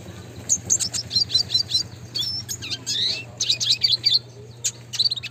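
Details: Red siskin singing in classic style, a lively run of high chirps, buzzy trills and short slurred whistles, closely packed over about five seconds, with a steady low hum.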